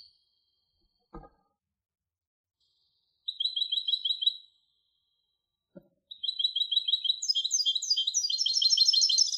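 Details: European goldfinch hybrid song in short bursts: a fast repeated trill after a pause, then a longer, denser twittering phrase climbing into higher buzzy notes, with a couple of faint clicks between.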